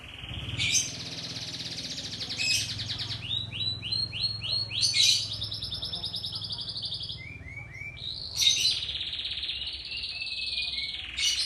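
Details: Young-canary tutor recording of lively canary song: long buzzy rolls broken by sharp bursts, with a run of four or five arched whistled notes between them. The rolls and bursts return in cycles over a low background hum.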